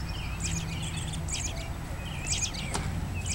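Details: American Robin (Turdus migratorius) in Woodlawn, Tennessee, on 13 March 2008, sings short whistled phrases mixed with high squeaky notes, with brief pauses between phrases, over a steady low background rumble.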